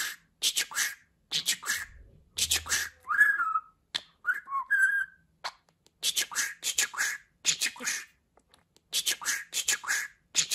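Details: Pet budgerigar speaking, from a compilation of real budgie talk: long strings of harsh, rapid word-like syllables, a pair of brief warbled whistles midway, and a soft low hum.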